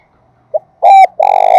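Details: Decoy spotted dove calling close by: a short low note, then two loud, drawn-out coos, the last one long and rich, heavily distorted by the loud recording, in an otherwise quiet setting.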